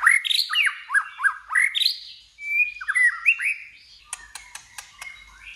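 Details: White-rumped shama singing in a fighting contest: rich run of loud whistled phrases, rising and falling slurs and bright chirps, followed by a burst of sharp clicks and rattling knocks.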